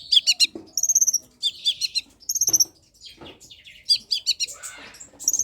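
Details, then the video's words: Long-tailed shrike singing, used as a lure and training model for shrikes that are slow to sing: rapid bursts of harsh, stacked chattering notes alternating with thin high whistled phrases, in irregular groups with short pauses. "cendet pastol gacorr || sangat cocok buat pancingan dan masteran cendet malas bunyi"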